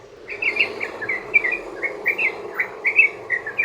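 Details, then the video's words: A sooty-headed bulbul sings the long ropel style used to prompt other bulbuls into song: quick chattering, slurred notes repeated in a steady rolling series over noticeable background noise. "trucukan ROPEL PANJANG buat pancingan burung trucukan agar bunyi jadikan trucukan gacor NYAUT"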